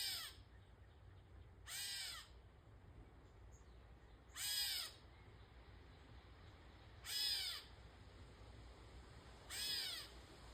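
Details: Catbird giving cat-like meows, drawn-out nasal mews with rich stacked harmonics, arching down at the end, five calls spaced roughly every two and a half seconds over a quiet low hum.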